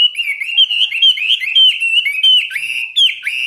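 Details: Chinese hwamei kept caged, singing through a morning 15-minute training session: continuous loud whistling, notes looping and dipping in rapid, varied phrases with no pauses.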